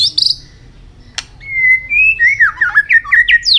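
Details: Multi-voiced white-rumped shama singing in contest with tail flicking: a buzzy note and a click, then a long flowing whistled phrase that wavers and climbs into rapid varied notes.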